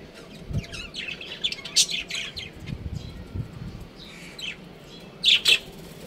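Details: Breeding pair of budgerigars chirping: bursts of short, bright chirps and warbled notes in quick succession, with a louder double chirp near the end and a quiet background.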